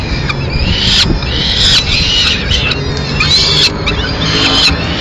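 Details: Peregrine falcon in Madrid, 30 April 2016, as the female arrives carrying pigeon remains; rasping, wavering cries repeated in roughly one-second bursts against a low urban hum.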